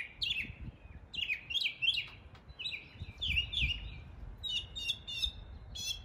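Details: East Tennessee mockingbird mimicking area birds, delivering clusters of slurred, chattering chirps, then a switch to high, rapid, buzzy notes near the end, with faint low rumbles throughout.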